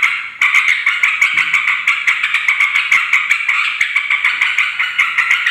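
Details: Yellow-vented bulbul calling noisily to attract wild bulbuls of both sexes, used as a lure; a dense, rapid run of bubbly chattering notes continues almost without pause throughout.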